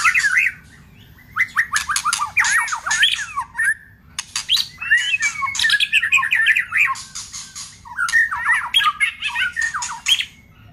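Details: White-rumped shama in fierce song with harsh 'tạch' notes, played to rouse a listless shama; fast rich warbling phrases mixed with rasping bursts run almost continuously after a brief opening pause.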